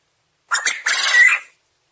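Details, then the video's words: Crowing of a domestic Coturnix quail: a pair of quick, rough notes, then a drawn-out grating trill of about half a second, with no other sounds around it. "Quail call / crowing / sounds"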